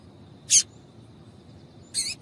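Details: Female double-collared seedeater call, used to set males singing: two short, high, bright chirps about one and a half seconds apart in a quiet background.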